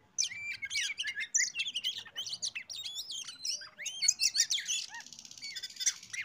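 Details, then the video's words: Oriental magpie-robin song intended to lure other birds into singing; fast sequence of bright whistles, rising and falling slurs and chattering notes, closing with a rasping, buzzy stretch. "PANCINGAN BURUNG Kacer biyar ikut bunyi"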